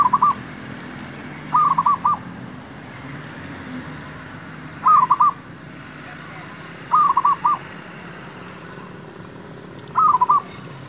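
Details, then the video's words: Male zebra dove used as a lure while trapping wild doves. Five bursts of rolling, bubbling coos, each a quick run of short notes, spaced a few seconds apart over steady low background hum. "MEMIKAT MERBUK..ABANG PERGI BERJUANG ...kata BH jantan"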